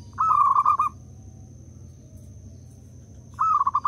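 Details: A local zebra dove, used as a lure to get other doves calling, gives a soft, rolling, stuttering coo in two short phrases about three seconds apart, over a low steady hum.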